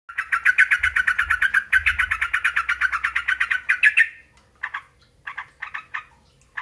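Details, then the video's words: Sooty-headed bulbul song used as a lure to provoke other bulbuls to answer: a fast run of harsh, buzzy chattering notes for about four seconds, then a pause and a few short separate bursts. "bagi yg punya trucuk susah bunyi. PANCING PAKE SUARA INI JAMINAN NYAUT JADI GACOR"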